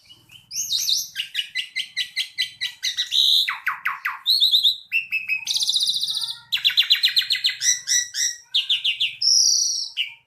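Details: Javan pied starling singing actively in a long, varied sequence of rapid repeated chirps, whistled slurs, buzzy trills and harsh chatters, with little pause between phrases; faint low hum in the background.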